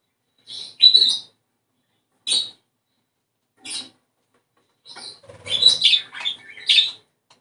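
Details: Budgerigar song for stimulating breeding. A few isolated squeaky, high chirps are spaced by silence, then a closer cluster of warbling, scratchy notes builds toward the end.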